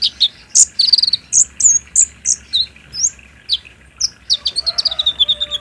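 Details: Sunbird song recorded on a Samsung J5 and used as a lure, played in daytime to make a caged bird answer and sing: rapid high sharp chirps and downslurred notes, then a run of falling whistles, with faint lower whistled tones behind.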